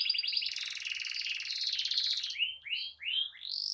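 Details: Lively canary in full continuous song, used to coax other canaries into singing: fast buzzy trills and rolls running about two seconds, then a few rising slurred whistles.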